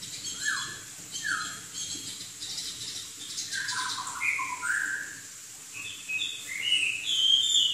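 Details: Chinese hwamei, a bird described as originating in southern China, in lively song: clear whistled notes, some sliding down, others looping and rising, delivered in varied bursts with short gaps and a faint hiss behind.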